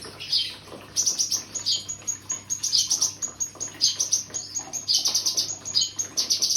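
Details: Cucak kinoi singing a fast run of very high, sharp chirps and twittering notes in quick bursts, several per second, with short gaps and a faint low hum behind.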